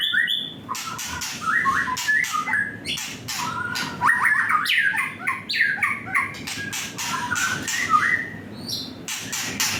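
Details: Young white-rumped shama in an agitated state, singing a dense run of varied whistled slurs and rising phrases mixed with harsh, scratchy broadband notes and clicks, with barely a pause across the stretch.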